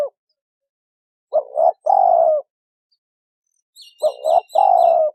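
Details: Spotted doves, a male and female, repeat a soft two-part note and a long falling coo; a series of thin high chirps from another bird sounds briefly near the end.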